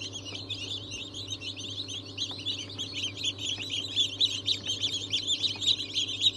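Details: Newly hatched chicks of several breeds including Ayam Cemani, Sultan, Cochin, Habesh, İspenç and Wyandotte, 22 January 2023; busy chorus of shrill chirps growing louder toward the end over faint hum.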